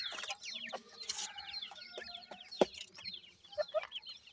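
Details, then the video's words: Dakhni francolin chicks utter quick, descending cheeps in overlapping series, with a loud knock in the middle and brief bright tones near the end. "dakhni teeter chicks,titar chicks"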